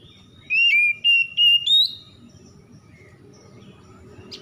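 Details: Dawn singing by an oriental magpie-robin: four quick bright whistles, each looping and rising, then a fading high tone, with a steady low rumbling background throughout.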